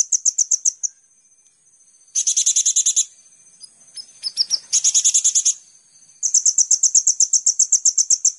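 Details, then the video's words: A sunbird (kolibri ninja) sings very high, sharp notes in rapid bursts of about a second, each a fast run of ten or more ticking chips, with short pauses between. "Pancingan Konin Full Gacor Tembakan mewah"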